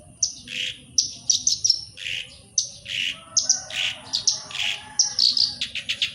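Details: Black-browed reed warbler singing, offered as a lure to get other birds singing. Short, sharp high notes alternate with lower, harsher buzzy notes in an irregular, jerky sequence of phrases. The song continues steadily throughout.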